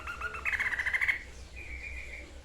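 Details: Sniper bird, the White-chested babbler, singing: a few clear notes, then a brief quick rattle of harsh pulses, followed by a thin level whistle that fades, over a low background rumble.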